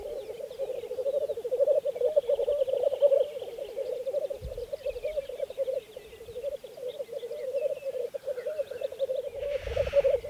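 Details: Spring 2014 black grouse lek on Saaremaa, Estonia: a steady, rolling, gurgling coo from the males carries on, a short hiss comes near the end, and soft low bumps are heard.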